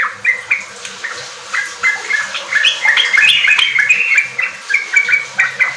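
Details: Sooty-headed bulbul song used as a lure to get untrained kept bulbuls singing in the riwik and ropel styles; rapid chattering run of short whistled notes, several per second, some rising and falling, with a busier, denser middle section.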